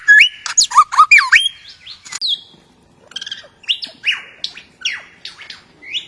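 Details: Australian forest lyrebird singing a rich medley: rapid looping whistles and warbled slides at the start, then scattered high chirps, buzzy notes and rising whistles after a brief quiet spell.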